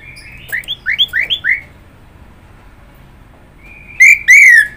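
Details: Orange-headed thrush song opening with a quick run of five rising whistled notes, a quiet pause, then two loud clear whistled slurs.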